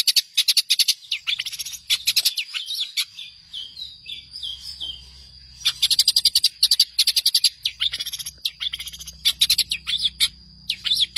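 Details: Long-tailed shrike master song for training songbirds: bursts of quick high chips, then a quieter passage of soft descending whistles, followed by renewed fast rattling chatter over a faint low hum.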